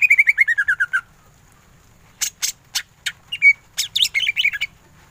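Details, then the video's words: Greater green leafbird in ngentrok song. A quick descending trill of about ten notes, a short silence, then harsh rasping notes and a jumble of fast twittering whistles. "Cucak ijo gacor full tembakan ngentrok"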